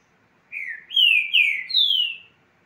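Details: Green-winged saltator delivering a short phrase of four rich, slurred whistles, the last one higher and descending, sung cleanly with almost no background noise.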